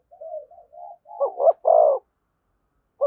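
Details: Spotted dove giving thúc gù calls right beside a decoy bird. Several low, wavering coos rise into two quick hoots and one long, rich coo. A new phrase starts just at the end.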